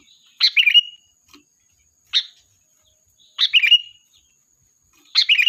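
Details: Lure song of a lively sooty-headed bulbul that calls in the flock: three bubbly chirping phrases and one short sharp note, coming roughly every one to one and a half seconds.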